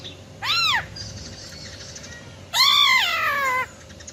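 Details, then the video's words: A female silver-eared laughingthrush in wild-type voice, used to rouse males. A short arched note is followed by a long, harsh-edged, harmonic call that gradually falls in pitch for about a second. "Tiếng Chim Khướu || Khưới Mái Bạc Má RO RO || Giọng Rừng Hót Chuẩn - Kích Trống Lên Lửa Cực Nhanh"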